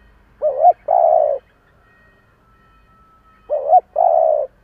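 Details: Decoy spotted dove in local-style voice calling to attract wild birds, giving two identical low coos about three seconds apart, each a brief wobbling note followed by a sustained mellow one, with a faint steady tone between.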